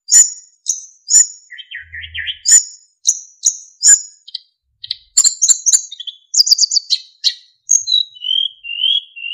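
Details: Narcissus flycatcher singing persistently for training other songbirds, with fill-ins and clear whistles: sharp high notes repeated about every half second, a twittering run, rapid trills, and finally slow, descending whistles.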